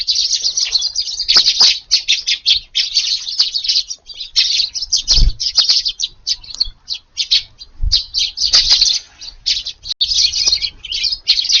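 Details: Eurasian tree sparrows visiting a garden in Japan at about 5:30 in the morning on 2 August, in rainy weather, chirp almost without pause in busy overlapping chatter of bright clipped notes, with soft thumps and wing flutters.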